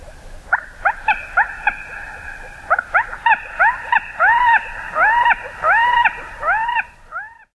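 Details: Common moorhen calling: a quickening series of bright, hooked notes that rise then drop, starting sparse and building to a steady run before stopping abruptly.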